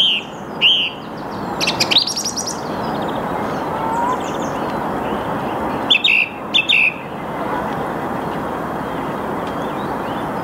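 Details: Song thrush singing in the early morning at 08:10 on 8 March 2022, Saarn-Mendener Ruhraue, Mülheim an der Ruhr. Short, bright phrases of quickly repeated notes come in bursts a few seconds apart over a steady broad background hiss.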